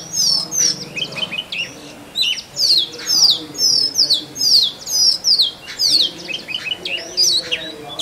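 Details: Oriental magpie-robin male singing to attract a mate in forest, pouring out bright sweeping whistles in short phrases about twice a second, sharp downslurs alternating with brief chattering notes.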